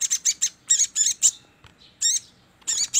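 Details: Trapping-lure call of a sogon: a run of piercing, wavering high chirps in quick succession, a brief pause with a faint thin note, then more loud chirp bursts.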